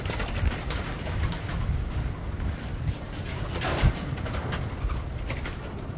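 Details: Spotted doves and zebra doves give soft, low cooing, repeated under a steady low rumble that fills the background throughout.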